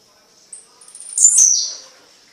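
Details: Tiziu (Blue-black Grassquit) singing at night in Fragoso, Magé, Rio de Janeiro: one short, high, buzzy phrase that rises to a bright peak and then slides down, set in a quiet background.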